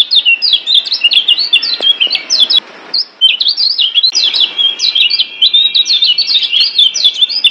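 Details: Caged-bird master song of the kecial kuning Lombok white-eye: a lively, high, chattering warble of quick up-and-down chirps, broken by a short gap midway before the rapid twittering continues.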